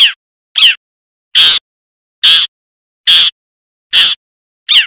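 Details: A wild long-tailed shrike (Lanius schach) gives seven harsh, rasping notes, each a quarter-second burst, repeated about once a second with dead silence between.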